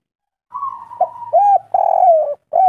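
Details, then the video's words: Spotted dove of a local Indonesian strain, kuk 3 (three-note) type, in lively full voice. Deep, hoarse coos: a long, slightly falling note, a short break, then rounded notes and a longer falling coo before a final brief note. Quiet background. "Derkuku kuk3 lokal gacor"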